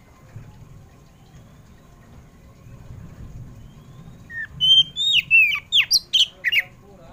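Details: A home-kept Oriental magpie-robin sings in the afternoon: after a quiet stretch of low hum, a quick run of rich, varied whistles, slurred up and down and sharply spaced.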